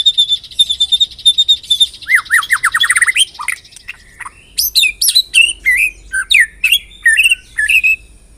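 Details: White-rumped shama song used as a lure (pancingan) to prompt other shamas to sing: rapid high ticking notes, then a run of rising slurred whistles, followed by separate sharp, bright upswept whistles repeated about twice a second.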